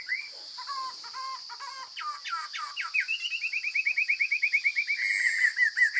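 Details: Wild forest Chinese hwamei in strong voice, singing clipped stuttering notes that build into a rapid, regular series of bright whistled notes, then a sustained whistle. A constant high thin drone runs underneath.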